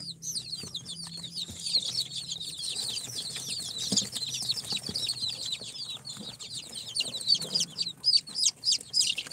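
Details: Four-day-old chicks hatched in an incubator, Sultan, Golden Sebright, Cochin and booted breeds, giving continuous piercing peeps about three or four per second from a crowd of birds, growing louder and choppier toward the end.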